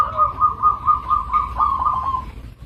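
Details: Local zebra dove giving a long, even run of rapid soft cooing notes at one mid pitch, lasting about two seconds before trailing off, with a low background hum.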